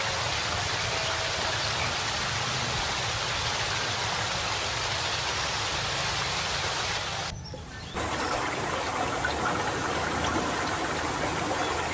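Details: Steady rushing water like a stream or waterfall fills the whole stretch, with a brief dip in loudness just before the eighth second and no clear bird or other animal voice.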